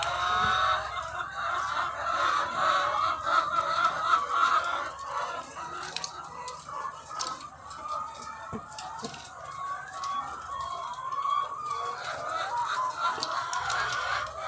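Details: Long stretch of thousands of egg-laying hens on a farm: relentless overlapping clucks and quavering calls, with occasional sharp clicks, forming a busy, fluctuating chorus.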